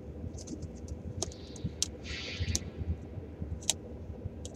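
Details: Scattered clicks and scratchy bursts over low traffic rumble, with no animal calls present.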